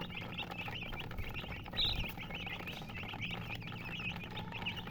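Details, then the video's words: Colored chickens give a flurry of sharp, high chirps, short notes bending up and down in quick succession, with a soft steady hum behind. "silly chicken chirping sounds with murgi hen color chicken"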